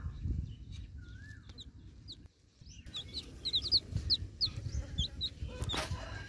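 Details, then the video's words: Baby chick calling its mother hen from inside the egg: after a quiet start, a rapid run of thin, high, downslurred cheeps, several each second, over low rumbling background noise, with one lower slurred whistle early on. "Baby Chick Calling Mother Hen Inside Egg Chick Cheep Cheep Sound Effects"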